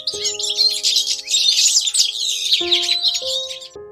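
Baby chicks keep up a busy chorus of high, thin peeps over soft background music.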